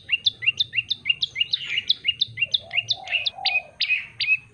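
A yellow-bellied prinia sings a fast, steady run of high, sharp chirping notes, about four a second, with a few softer, lower notes midway.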